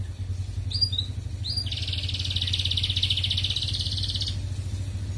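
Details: Red canary 'ngerek' song played to encourage female canaries to breed and lay eggs: two short chirps, then a long, steady, buzzy rolling trill lasting several seconds before stopping, with a low hum throughout.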